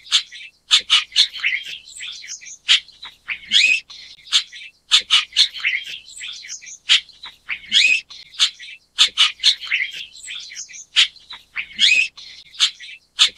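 Chestnut-tailed Starling giving busy, squeaky chattering calls in repeated bursts every couple of seconds.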